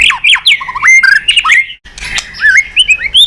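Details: White-rumped shama song for provoking other birds: fluty slurred whistles twisting up and down, a brief harsh burst midway, then a rising series of looping whistled notes.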